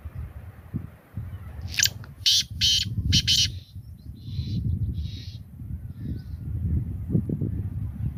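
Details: Black francolin, or kala teetar, calls a loud rasping series of about four quick notes, followed by softer echoing notes, all over steady low rumbling background noise.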